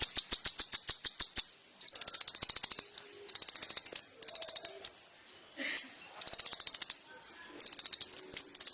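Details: Kolibri ninja (sunbird) song from a recording used to train caged birds. Rapid high buzzy trills come in bursts about a second long, separated by short pauses and sharp downslurred notes.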